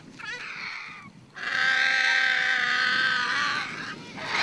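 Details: Excited vultures gathered at a carcass in the bush: a nasal, strongly harmonic squeal held steady for about two seconds, framed by shorter rasping cries before and after.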